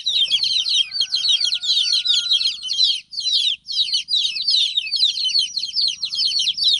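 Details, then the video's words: Many baby chicks peeping together, a busy high chorus of short descending chirps with a couple of brief gaps and faint low background rumble. "Cute Baby Chicks Chirping Sound"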